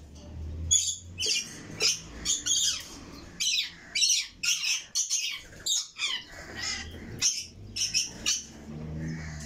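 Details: Several red lory chicks repeating short rasping, hissy squawks roughly twice a second in a steady series, with soft low rumbling underneath.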